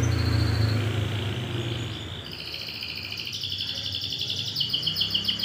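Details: Canary lure song for young and breeding canaries: a low engine-like hum opens, then high rapid trills and rolls build steadily, with pulsed notes repeating about four times a second toward the end.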